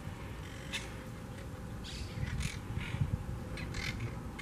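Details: Wild Monk (Quaker) parakeets at their large twig nest in a beachside palm tree, Southwest Florida, in a noisy colony. Scattered short, harsh squawks, several in quick pairs, rise over a constant low hum.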